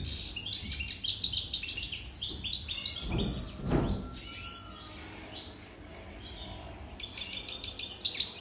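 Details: Wild-caught adult European goldfinch over three years old sings quick, high twittering phrases, pauses midway while a brief rustling noise passes, then resumes chirping.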